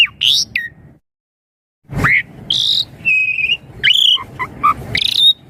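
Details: Asian pied starling song used as a lure so young birds answer quickly: loud whistled and squeaky notes, upslurs and short chatters in bursts, with a second of silence and a low thump near the start of the second burst.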